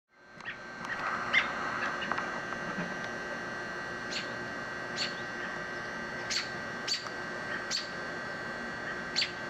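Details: Adult American robins complaining near a downspout nest holding young chicks: sharp, high, isolated chips scattered every second or so over a steady air-conditioner hum.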